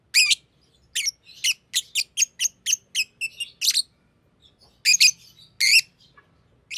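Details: Green lovebird chirping: sharp, high, scratchy chirps given singly and in quick clusters with short silent gaps, some notes buzzy and rasping, no other sounds.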